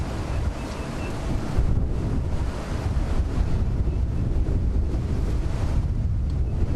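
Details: Loud, constant wind buffeting the microphone, a rough roar with no calls or voices.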